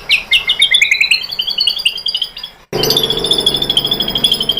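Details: White-rumped shama lure song used to excite other shamas into singing: a fast string of high, rising chirps, then an abrupt cut into a steady high trill over a rougher, noisier background.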